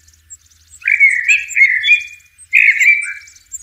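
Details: Two mellow Blackbird phrases heard in nature, each a rich, slightly wavering whistle trailing into a long level note, with faint high twitters in the background and a soft low hum.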